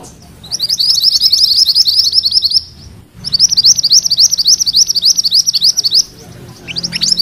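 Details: Mantenan kuning in vigorous rolling song, used as tutor material for magpie-robins: rapid, high buzzy trilled notes repeated about three to four per second in two long bursts split by a brief pause.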